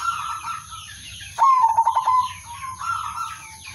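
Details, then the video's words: Male local zebra dove calling out to rivals as a trapping lure; one loud rolling coo with stuttered trill notes, softer coos before and after, other birds chirping around. "suara perkutut/merbok lokal jantan memanggil lawan"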